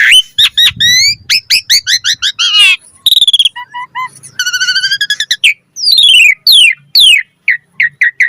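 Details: Jalak suren, or Asian pied starling, singing a fast, varied song used to prompt other birds: quick rising whistle series, a short buzzy trill, low doubled whistles, then long descending slurred whistles and scattered chirps.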